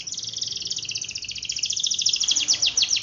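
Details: Singing canary delivering a long, rapid rolled trill of high, evenly spaced notes, climbing in loudness toward the end into sharper down-slurred chips, used as a lure to prompt quiet canaries to sing.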